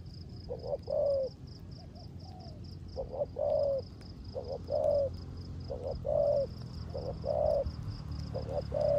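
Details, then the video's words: Spotted dove decoy bird, rước gù coo in the rain: regular low coo phrases, short note plus lengthened humming note, repeating every second or so, over rumbling background and continuous high-pitched insect-like chirps. "Cu Gáy || sở hữu mồi RƯỚC GÙ trong mưa"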